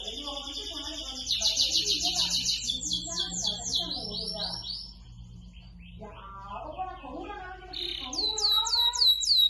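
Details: Lively canary song aimed at encouraging other canaries to sing, with dense rolling high trills, soft lower warbling notes underneath, a pause, then crisp repeated downward-sweeping whistles.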